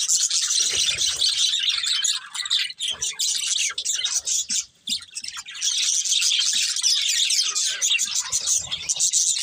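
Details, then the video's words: Flock of budgies keeps up a loud, steady warbling chatter of high chirps and squeaks, dipping briefly to a few scattered notes midway before swelling again. "Cute Budgies Chirping Sounds"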